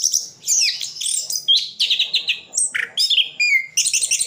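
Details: Orange-headed thrush, a caged bird from Sidoarjo, East Java, in full mimicry song: quick chattering notes and bright whistled slurs, a short high whistle, then dense high twittering at the end, delivered in fast, closely spaced phrases.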